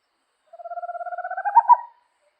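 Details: Owl gives one fast pulsed trill, steady at first, then rising a touch and swelling into two accented final notes; about a second and a half, with nothing else audible.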